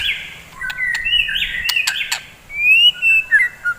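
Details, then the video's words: White-rumped shama singing in the morning, played to rouse fighting birds: rich whistled phrases, long level and sliding notes with sharp clicks, then brighter rising whistles near the end. "KICAUAN GACOR,, DI PAGI HARI,, MEMBANGKITKAN MURAI BATU GACOR FIGHTER"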